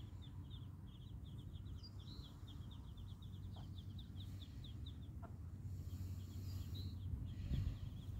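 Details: Young Muscovy ducks peeping: rapid series of short, high-pitched chirps in the first five seconds, then sparser peeps, all set against a loud, steady low-frequency hum and faint rustling.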